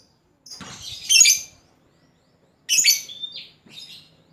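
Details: Lovebird used as a lure to call a rival, uttering two harsh, scratchy squawking bursts about two seconds apart, with a short whistled note and a softer chirp after the second.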